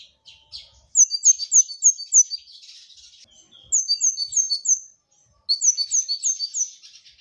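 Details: Gacor masteran song of a brown-throated sunbird: three bursts of rapid, high, downward-slurred whistles, each run of about six notes following soft twittering.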